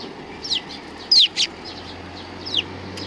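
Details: At a Tenmangu shrine approach on 29 May 2020, sparrows coming to be fed give a few loud, sharp descending chirps, two close together mid-way and softer ones before and after, with a low steady hum.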